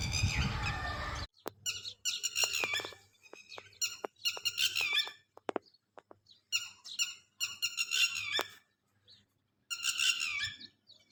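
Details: Lapwing guarding its chicks. After a short burst of other noise, shrill, ringing call phrases come in separate bursts with clear silences between them, plus a few clicks.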